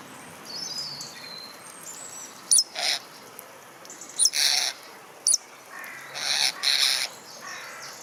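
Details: A common starling in a London park mimics crows and magpies with sharp clicks and harsh, rasping chatter bursts repeated every second or two, over a faint high whistle.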